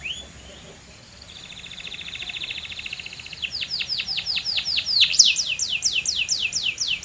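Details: Canary song starting soft with a short whistle and a quiet level trill, growing louder into a series of strong falling whistled notes.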